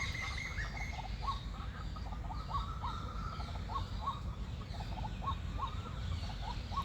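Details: Mating call of a white-breasted waterhen, a long series of brief rising notes at a steady mid pitch, about two each second, with other birds singing faintly in the background.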